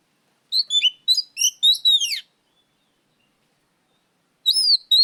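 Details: Oriental magpie-robin (kacer) singing loudly, used as a lure recording: a quick run of high, varied whistled and chattering notes ending in a long downward glide, then a pause and two more rising whistles.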